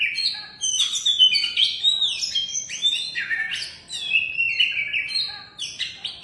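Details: First-place contest oriental magpie-robin delivering a loud varied song: sweeping whistles, chattering trills and slurred rising and falling notes in quick succession, nearly without pause, no other sounds noticeable.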